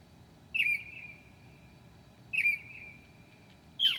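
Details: Night song of a Northern mockingbird at 2 a.m., 7/9/2008, mimicking other birds: a sharp downslurred whistle with a drawn-out tail, repeated after about two seconds, then a louder rough note.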